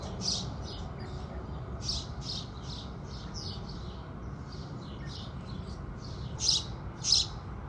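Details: House sparrows at sunrise: scattered short, bright chirps, some doubled, over a steady low background hum, with two louder chirps near the end.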